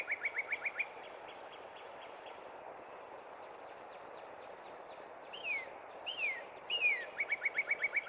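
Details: Spring song of a northern cardinal at Cub Run. A fast series of short, repeated notes opens the phrase, followed after a pause by three sweeping whistles that slur downward and another rapid run of chips. Constant outdoor hiss underneath.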